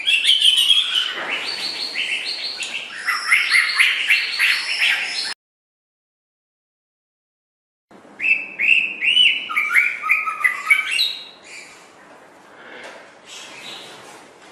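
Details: White-rumped shama tutor song for training other songbirds: long bursts of rapid, varied whistles, chattering notes and high sweeps, broken by a few seconds of complete silence, then another energetic varied phrase trailing off softly.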